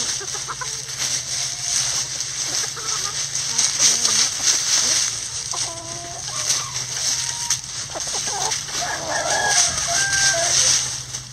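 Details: Chickens in a backyard coop scratching through a leaf pile: brief irregular clucks and chirpy notes, some bunched together, amid loud dry rustling of leaves and a faint low hum.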